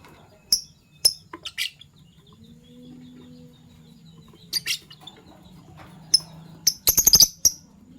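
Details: Fischer's lovebirds, a violet pied and a gold opaline euwing, chirping in the morning; scattered sharp high chirps and short buzzy bursts, ending in a rapid cluster of clicks and chirps, with a low hum behind.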